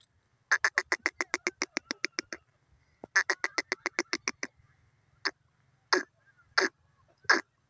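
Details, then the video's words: Grey francolin from Pakistan: a rapid burst of about a dozen harsh, evenly spaced notes, a pause, another fast run, then a few slower, spaced calls trailing off. "grey francolin bird awaz"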